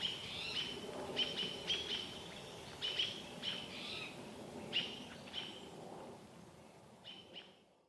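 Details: American robins scolding a barred owl while its baby watches, Vancouver area: bursts of sharp high chirps in groups of two or three, irregular gaps, with low rumbling background noise that fades out at the end.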